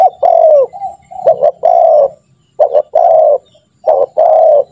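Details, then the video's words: Energetic spotted dove calls used to train doves to call: a rapid run of about four phrases, each short double notes and a long mellow coo, closely packed with little pause between. "Pancingan burung tekukur gacor, melatih burung tekukur agar cepat bunyi"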